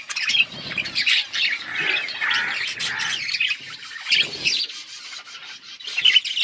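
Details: Budgerigars recorded August 15, 2024, several birds chattering at once: dense, buzzy warbles and rapid high chirps overlapping without pause, with brief louder bursts near the start and end.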